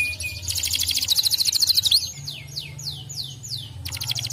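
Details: Canary song to stimulate others of its kind: buzzy rising trill, then a series of slow, descending slurred whistles about twice a second, closing with a fresh trill.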